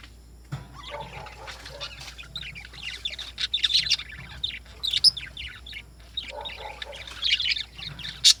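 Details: Morning chatter of lovebirds: a dense stream of high, squeaky chirps and twittering notes running almost without pause, with occasional louder sharp peaks.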